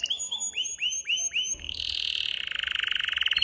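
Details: ['Agitated caged male canary singing to excite a female for mating: five loud rising then falling slurred whistles in a row, followed by a dense, fast buzzing trill that quickens toward the end.']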